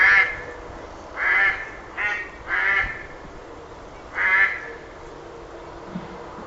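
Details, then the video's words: A duck calling with a few loud, rasping quacks spaced about a second apart, with quiet gaps between them. "Sounds of animals - Ducks"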